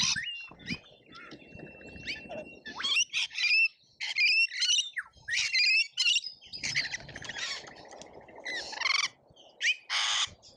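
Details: Lorikeets squabble in a feeding frenzy at a feeder in Australia, filmed by a feeder camera. Loud grating squawks come in choppy bursts, with brief quiet gaps, a thin whistle near the start and low rustling.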